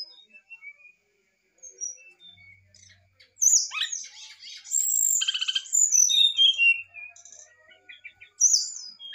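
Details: Excited brown-chested jungle flycatcher song meant to provoke a reply: scattered thin whistles, then a dense burst of varied notes, buzzy trills and descending slurred whistles, ending with a sharp high note.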